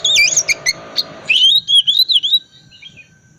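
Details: Chattering ngriwik song of an Oriental magpie-robin, used to encourage silent birds to sing: rapid twisting whistles and clipped notes, then a smooth warbled phrase fading out.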